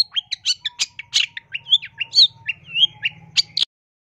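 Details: Long-tailed shrike training recording for caged birds and bird luring, rich in mimicked phrases: rapid harsh chips and scratchy notes trade with bright whistled slurs over about three and a half seconds, with a low hum beneath, then silence.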